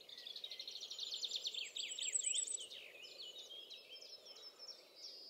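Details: Common firecrest singing in the Eifel near Dohr, Germany, recorded with a Sony RX10 IV: very high, thin notes in a rapid, quickening series, followed by a second, fainter run of high notes.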